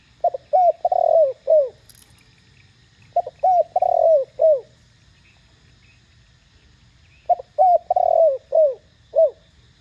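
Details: Spotted dove calling in the clear 'thổ đồng' voice to make other doves answer; three bursts of about five low, hollow notes each, short hoots around a longer coo, with a faint high chirp between.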